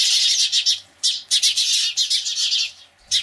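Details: House sparrows reacting to a Cooper's hawk, screeching loudly in alarm: bursts of harsh, high chattering chirps in quick runs separated by short pauses, many birds calling together.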